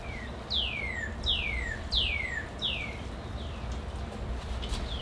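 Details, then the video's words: Northern Cardinal heard in April near a glass greenhouse of bonsai trees sings about six clear, downslurred whistles in a row, each sliding from high to lower pitch, over a steady low rumble. "is that a Northern Cardinal"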